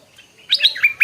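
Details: Stripe-throated bulbul, morning: a quick sequence of bright, liquid warbled notes rising and falling, lasting under a second after a short quiet lead-in.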